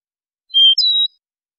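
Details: European goldfinch tutoring song: a single crisp phrase of a steady whistled note that jumps to a higher, slightly buzzy tone, with no other sounds.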